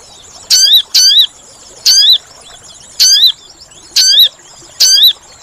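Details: Sooty-headed bulbul trapping lure: six shrill, harmonic notes with a bent, slurred shape, repeated roughly once a second. The first two come close together.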